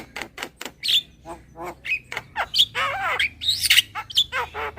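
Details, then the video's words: Javan myna lure call, the style called super kenyih: harsh rasping squawks and chattering notes mixed with short whistled upslurs, uneven bursts over nearly five seconds. "SUARA PIKAT JALAK KEBO SUPER KENYIH"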